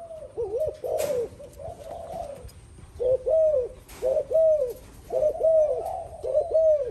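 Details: Spotted dove cooing: low, soft, hooting coos in short grouped phrases, each note dipping then rising, repeated roughly once a second, with occasional brief clicks or knocks in the background.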